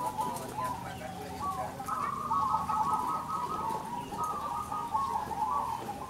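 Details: At a contest for local crossbred zebra doves, birds sing continuous bubbling coo trills in overlapping phrases of one to two seconds, with a low background murmur.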